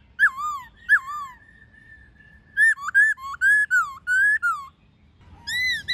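A laughingthrush gives loud, rich whistled phrases, slurred up and down, with one long steady whistle and quick varied notes, in a quiet room.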